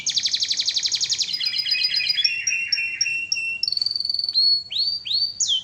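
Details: Gacor canary song used as masteran: a fast, very high rattling trill, then clipped chirp series at changing pitches ending in short rising and falling whistled notes.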